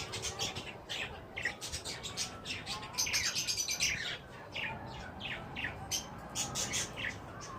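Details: Mating wild green ringneck parakeets chatter in bursts of sharp, shrill chirps, some rising and falling, tumbling over one another in fast succession.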